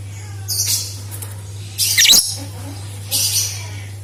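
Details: Lovebird chatter meant to set other lovebirds singing: three brief, rough, hissing high-pitched bursts spaced more than a second apart over a constant low hum.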